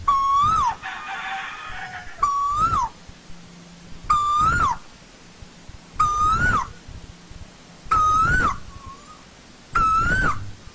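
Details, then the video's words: Asian koel in old-growth forest calling six times at an even pace, about every two seconds. Each is a loud whistle that lifts and then drops sharply, with a brief softer note between two calls. "Tiếng chim TU HÚ rừng già"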